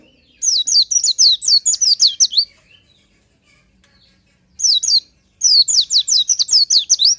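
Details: Oriental white-eye singing in the morning: two bursts of rapid, high, sweet twittering notes, each phrase a run of quick descending whistled slurs, separated by a short quiet gap.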